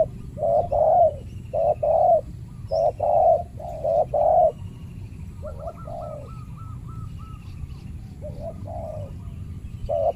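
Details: Spotted dove in a banana garden during trapping, a fierce territorial male facing a trained decoy: a run of deep hollow coos in uneven groups, then softer coos, with a brief chattering trill and steady low background hum.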